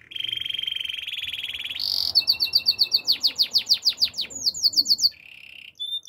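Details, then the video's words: Domestic canary in song: a long even buzzy roll, a short high buzz, then fast repeated sharp sweeping notes and a brisk trill, closing with a low rattle and a brief whistle. "Your canary will sing everyday fullspeed"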